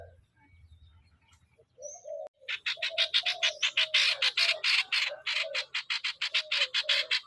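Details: After a quiet start with low whistles, a decoy streak-eared bulbul bursts into loud, rapid rasping 'sor'-style notes, about three per second, mixed with lower whistled calls.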